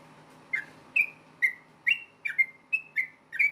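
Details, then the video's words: Yellow-vented bulbul singing its challenging ropel tarung fight song to draw replies from rival bulbuls; clear, sharp whistled notes with a falling-then-flat shape, spaced about half a second apart, some paired, with low steady hum behind. "KICAU SUARA trucukan gacor ROPEL TARUNG NEMBAK ampuh BIKIN agar burung trucuk gacor NYAUT SEKETIKA"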